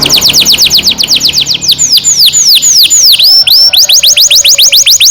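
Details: Canary song with a long roll, used to coax young canaries into singing: steady falling whistled notes, then a few slower, deeper U-shaped swoops, then the fast repeated notes return.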